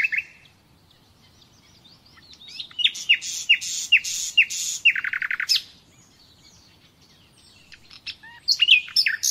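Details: Nightingale song for training captive birds: a series of evenly spaced swooping whistles, then a fast rattling trill, a pause, and closing sharp chirps.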